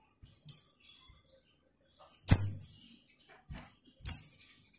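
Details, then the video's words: Female white-eye calling to a male. A faint high chirp is followed by two loud, shrill, falling chirps, with a low thump under the first loud one. "TERIAKAN PLECI BETINA MEMANGGIL JANTAN"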